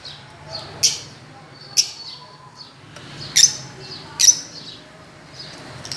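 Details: Fischer's lovebirds chirping on a swing, sparse loud high chirps about once a second with softer faint notes between.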